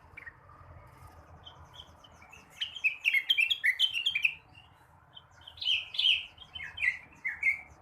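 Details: Blue-winged leafbird in the morning giving two bursts of lively warbling, each a rapid string of bright up-and-down whistled notes, separated by a brief pause, with faint low hum behind.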